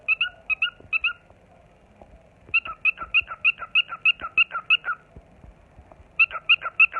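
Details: A pet cockatiel sings in bursts of bright, quick, repeated whistled notes on seeing the camera.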